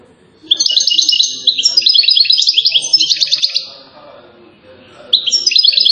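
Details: European goldfinch from Settat, Morocco, singing a dense three-second stream of rapid rattling twitters and trills, fading out, then starting a fresh bright phrase.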